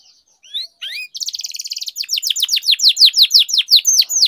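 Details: Canary in continuous energetic song, used as a lure to get silent canaries singing: a few rising whistled slurs, then a dense buzzy trill, then rapid high downslurred notes repeated about three times a second, clean with no other sounds.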